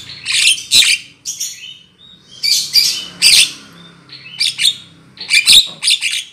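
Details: Javan myna lure call for trapping, made of clustered harsh squawks and chattering bursts separated by brief pauses, with faint whistles in between.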